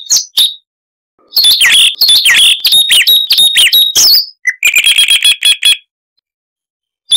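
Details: Siberian rubythroat (Luscinia calliope) delivering a varied song in a noise-reduced recording: two short chirps, a pause, then fast twisting slurred whistles, followed by a steady series of about eight clipped repeated notes.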